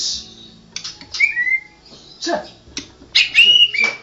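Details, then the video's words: White-rumped shama, a national champion songbird, singing in the gacor ngerol style: short clear whistled phrases, some sliding and some with a flat tone, broken by brief pauses and scratchy bursts. "Burung Murai Batu Juara nasional murai batu ngoceh ngerol gacor"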